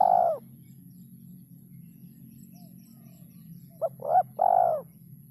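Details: Spotted dove, 'kuk 3' three-note call style: a drawn-out coo fades at the start, then after a pause a brisk short note leads into two deeper, longer hooting coos; a constant low hum fills the background.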